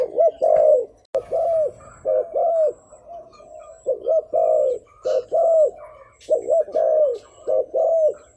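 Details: A decoy spotted dove coos to attract wild birds, giving deep arched hoots grouped in twos and threes, with a sharp click near the start and faint higher twitters in the background.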